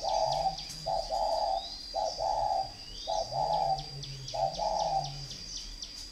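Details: Spotted dove bred for cooing contests, kept at a farm in Ba Vì district, Hanoi, Vietnam, delivering clear double coos in a regular run, with quick ticking chirps and a steady thin whine in the background.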